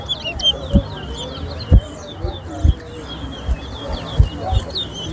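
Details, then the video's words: Towa towa singing in a song race at an annual bird singing competition at Better Hope: rapid, high twittering warble running almost without pause, while a man counts aloud and sharp clicks sound about once a second. "TOWA TOWA RACE AT BETTER HOPE"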